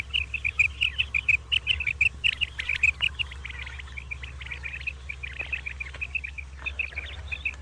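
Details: Common quail (batair) calling in the morning: rapid runs of short, sharp chirped notes in quick succession, loud and regular at first, then softer and more scattered, over a steady low hum.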